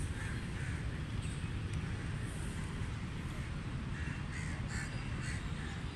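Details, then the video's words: Ducks calling while feeding: short harsh nasal quacks in loose bursts, several in quick succession near the start and again toward the end, over a steady low rumbling background noise. "Ducks Feeding Sounds"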